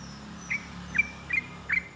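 Yellow-vented bulbul giving four short, bright, slurred chirps about every half second, over a faint low rumble like distant traffic.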